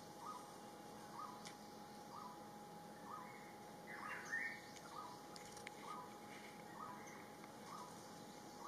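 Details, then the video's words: Rufous-throated partridge at Inthanon, heard distantly as a steady series of soft short whistles repeated roughly every two-thirds of a second, with a louder slurred phrase midway and faint hiss. "นกกระทาดงคอสีแสด, Rufous-throated Partridge"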